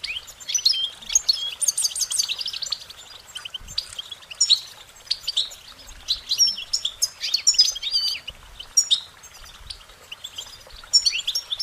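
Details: Goldfinches singing: a dense, continuous twitter of short, high warbling notes and quick trills, with fast buzzy bursts and bright slurred whistles layered over one another throughout.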